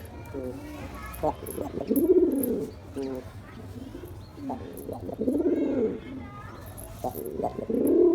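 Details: Low gurgling coos from a male pigeon courting a female, three warbling phrases about three seconds apart, interspersed with short clipped notes and faint chirps.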